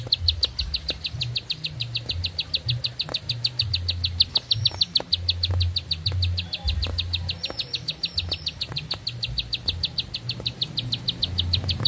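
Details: High, rapid, metronome-like series of sharp notes from a bar-winged prinia holding one long song for twelve seconds, with brief faint twitters from other birds and a constant low hum.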